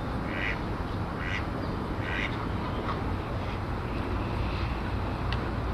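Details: Canada geese at the ponds of Rose Hills Memorial, Whittier, California, in early 2008, give a run of short, nasal honks, roughly one a second, over a steady low rumble of wind or distant traffic.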